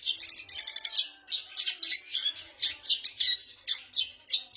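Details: Cendet, the long-tailed shrike, performing borrowed material from kapas tembak, canary, gereja tarung and ciblek. A quick rattling burst of repeated notes gives way to scratchy chirps and squeaky twitters at a lively uneven pace.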